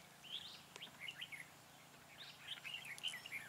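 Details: Red-whiskered bulbul decoy singing during a bird-trapping session on 4 February 2017 to lure and fight wild birds: two bursts of bright, warbled whistled phrases, rising and falling, with faint clicks and quiet outdoor background.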